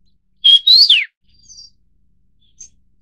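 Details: A Vinous-throated Parrotbill of the Taiwan subspecies (Paradoxornis webbianus bulomachus) gives one high, thin, whistled phrase: a short level note, then a rising slur that drops away sharply. A few faint, soft notes follow.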